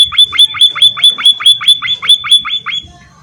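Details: Rapid munia calls, a dozen loud, high, clipped notes each dropping in pitch, evenly spaced and fading at the end, with a faint low murmur behind.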